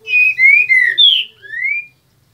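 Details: Molting green-winged saltator, known locally as trinca-ferro, still singing on 10 February 2021: a phrase of four rich, slurred whistles followed after a brief pause by one drawn-out upward whistle, with nothing else audible.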